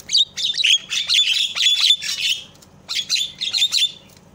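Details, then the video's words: Javan myna call used as a lure to provoke other mynas into calling: loud, harsh squawks mixed with whistled chirps in quick jumbled phrases, a short pause, then another burst, with a faint low hum underneath. "SUARA INI MAMPU BIKIN JALAK LAIN PADA TERIAK"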